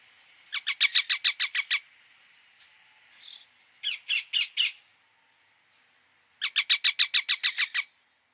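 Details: Indian ringneck parakeet repeatedly calling in three bursts of rapid, harsh, raspy squawks, around eight per burst, separated by short pauses, with a softer squeak between.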